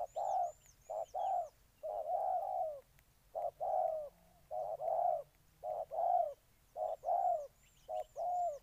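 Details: Spotted dove from Ninh Thuận, Vietnam, delivering a long run of deep, mellow coo pairs, some long notes slightly quavering, accompanied by faint high-pitched chirping of other birds.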